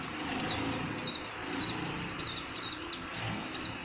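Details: Oriental white-eye calling: short, thin, high notes that slide downward, repeated about every third of a second in an uneven series over a soft low rumble.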